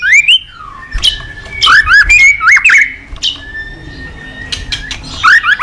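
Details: Caged white-rumped shama in morning song, played as a lure for training other cage birds; rich looping whistles rising and falling, interspersed with sharp high clicks and a long steady whistled note.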